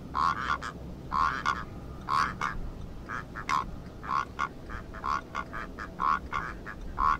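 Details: Rüppell's korhaan (Eupodotis rueppellii), a small bustard, gives harsh, frog-like croaking notes, often in quick pairs or triplets, about once a second over a steady low hiss.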